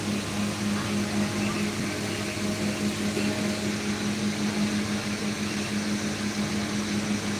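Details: A steady mechanical hum with engine and vehicle noise fills an enclosed space, with faint speech in the background and no animal sounds.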